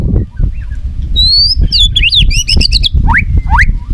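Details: Short burst of white-rumped shama "isian" song, used to make other shamas sing: a long rising whistle, then jumbled high slurred notes and two quick upward sweeps, over heavy low rumbling noise.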